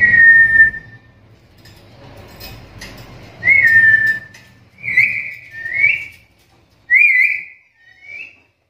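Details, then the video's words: A Black-capped lory gives its calling sound, said to be rare among lories: clear, mid-pitched whistles in five short phrases over about nine seconds, some flat and some sliding upward, with a faint indoor hum between them. "Suara panggilan burung nuri kepala hitam ini jarang dimiliki nuri lain"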